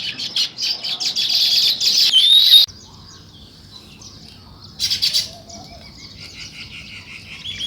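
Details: Morning sparrow chirping opens as a loud, dense chatter of overlapping high chirps, breaks off abruptly into near quiet, then returns with a brief burst and softer continuous twittering.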